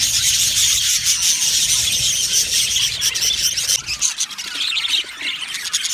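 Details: Loud, dense chatter from a happy budgerigar colony in an aviary: overlapping high squeaky chirps and warbles, easing slightly toward the end.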